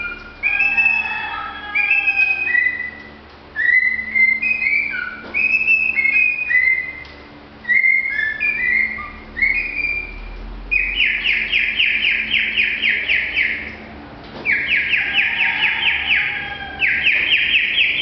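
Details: A pet cockatiel whistles the Philippine national anthem "Lupang Hinirang" in clear notes, then mimics a chick with harsh, buzzy chick-like calls.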